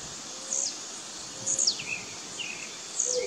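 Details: Blue-black grassquits (tiziu) in a territorial dispute in the bush: three high, thin buzzy notes dropping off sharply, spaced about a second apart, with soft lower chirps amid background hiss.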